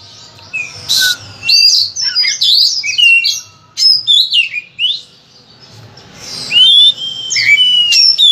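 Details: Oriental magpie-robin in energetic full-varied song used to stimulate other birds: scattered whistled swoops and harsh rasping bursts, phrases separated by short gaps, one longer quiet spell midway.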